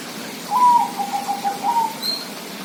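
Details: Zebra dove singing a short phrase that opens with a sharp higher coo, then a string of rapid soft coos at one lower pitch, ending on a rising note; a faint high chirp follows.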